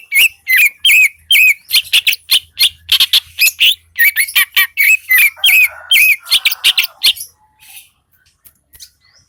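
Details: Greater green leafbird from Lembah Selawah, Aceh, singing in full voice: a fast run of loud, sharp, whistled notes with repeated upswept phrases, about two to three per second, ending in a brief harsher buzzy passage before going quiet.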